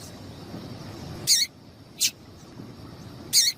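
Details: A female double-collared seedeater gives three brief, high chipping calls at uneven intervals over a faint low rumble; the female's call is used to stimulate male seedeaters to sing.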